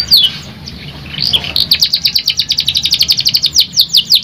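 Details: Canary song: a few scattered soft notes, then a rapid high trill of repeated chirps running steadily to the end, with a few downward sweeps.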